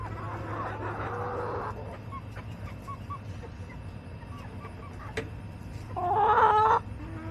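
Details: Backyard chickens calling: a hoarse, broad call at the start, scattered soft clucks, then a loud wavering harsh call near the end, over constant low mechanical hum.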